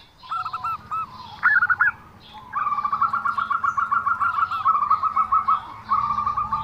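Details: Zebra dove with an unusual voice: a few short warbled phrases, then a long fast run of rapid, evenly pulsed cooing notes that breaks into shorter bursts.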